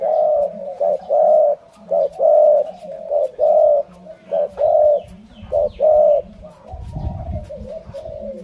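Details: Spotted dove, Malay line, repeating soft low coos in short-long pairs. Near the end the cooing pauses and a brief low rumbling noise is heard.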